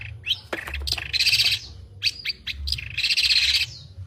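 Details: Long-tailed shrike delivering varied mimicked fill-ins (isian) in its song: quick upslurred chirps and sharp ticks mixed with two longer, rich, warbling high phrases, irregular in rhythm. Low background rumble.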